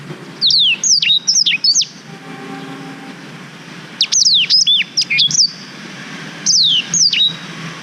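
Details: Black-throated canary, a long song recording for training canaries, filmed on a GoPro Hero 5: three separate bursts of rapid, high, downward-slurred whistles, with a soft steady low tone in the quiet gap between them.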